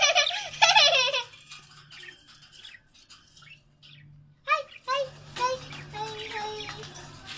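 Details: Breeding budgerigars in 2017 give bright, warbling chirps and chattering notes in quick bursts over a low steady hum.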